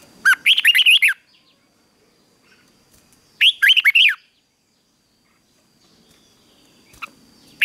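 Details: Red-whiskered bulbul delivering a morning fighting song for training and stimulating newly caught birds. Two bright, rollicking phrases of five or six fluid whistled notes each arrive about three seconds apart, separated by near silence.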